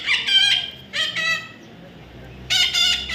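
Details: Young parrot calling with loud, harsh, rasping squawks in three separate bursts, each about half a second, and a quiet pause before the last pair.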